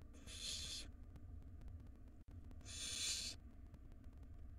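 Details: Wild barn owl nestlings in a nest box, one swallowing a huge rodent while the mother feeds its siblings; two long, harsh hissing screeches about two seconds apart, low hum beneath.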